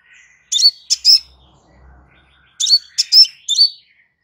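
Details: Crimson sunbird, a relaxed recording used as master audio for training kept birds: two bursts of sharp, high chirps, each a quick cluster of three or four bright notes with a short upward flick, separated by a pause of about two seconds.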